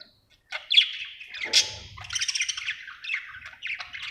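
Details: After a short silence, a happy budgerigar starts a whistled note, a harsh burst, then rapid pulsing chatter of buzzy chirps; faint low rumble in the background.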